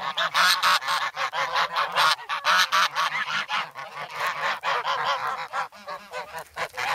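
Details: Young grown geese, former goslings, noisy and hungry in snow at Sloterpark, Amsterdam, on 3 February, crowding for bread and pecking. Filmed with a Sanyo SH1 camera. Harsh, nasal honks overlap in a rapid, uneven chorus, bursts roughly every two seconds.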